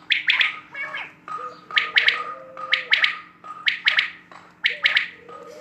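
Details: Rhythmic quail calling: bright, clipped triple notes delivered in a steady series about once a second, each burst sharp and loud, with a constant faint tone in the background.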